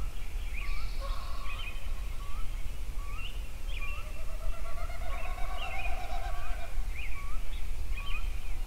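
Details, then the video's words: Several songbirds singing at sunrise in Yellowstone: short rising whistled notes repeat about every second against steady low rumble, with a longer wavering phrase in the middle and higher trills above. "Sunrise Songbirds at Yellowstone"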